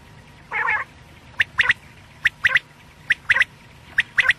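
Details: Quail (batair) night calls from Pakistan quail hunting: one rasping nasal note, then sharp, clicky double and triple chips in quick clusters about every second, over a quiet steady background.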